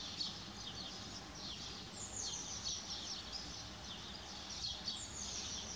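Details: Spotted flycatcher calling with high, thin, slightly descending tsee notes, a few spread irregularly over several seconds, partly masked by constant buzzing, hissy outdoor background noise.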